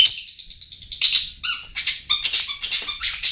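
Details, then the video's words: Long-tailed shrike song played as a lure to get reluctant birds singing: rapid high chattering notes, then harsh harmonic bursts and varied clipped phrases, delivered in quick succession. "SUARA PANCINGAN BURUNG CENDET"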